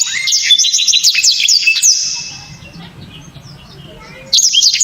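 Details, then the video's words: Black-throated canary, popular among songbird keepers, giving sharp, loud 'shots': about two seconds of rapid high twittering and whistles, then near silence before another burst starts. "BURUNG blacktrod‼️ gila‼️ penuh power full"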